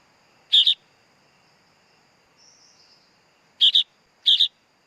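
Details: Harsh doubled rasps from a sooty-headed bulbul chick, one early call, a long pause, then two in quick succession, with a soft high hum throughout.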